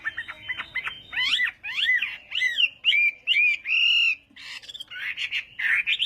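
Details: Chinese hwamei singing in a morning voice-training session for contest singing, a run of loud whistled notes: rising and falling slurs, repeated upward sweeps and a long steady whistle, ending in rapid buzzy phrases.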